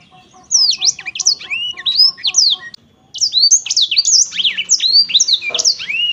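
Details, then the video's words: A black-throated canary pours out a bright, rapid song of slurred whistles and chirps, breaks off briefly near the midpoint, then resumes with more sweeping, down-slurred notes; a faint low hum sits underneath. "kicau merdu siBLACKTHROAT"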